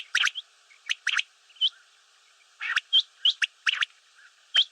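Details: Common quail (batair) calling: short bursts of two or three crisp, high pips, interspersed with brief upslurred whistles, spaced unevenly over a few seconds.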